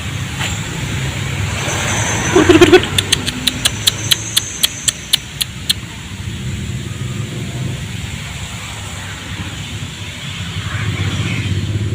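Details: A steady low engine rumble with a quick burst of sharp clicks near the middle, and no animal voice.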